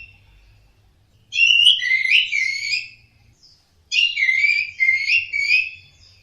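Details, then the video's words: Orange-headed thrush song for sound therapy aimed at caged birds: two long rich phrases of tumbling, warbled whistles, each about one and a half seconds, with a pause between and faint low rumble. "TERAPI SUARA BURUNG ANIS MERAH DIJAMIN NYAUT DAN GACOR...."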